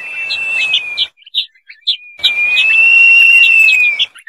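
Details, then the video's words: Crested partridge call, two drawn-out clear whistles, the second longer and gently arching in pitch, separated by a pause filled with quick high twitters from other birds; a faint rushing background accompanies each whistle. "Crested partridge Calling Sound"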